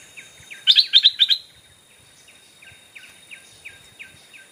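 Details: Decoy Stripe-throated Bulbul calling to attract wild birds: a loud burst of about six bright chattering notes, followed by a faint, steady series of soft down-slurred notes repeated several times per second.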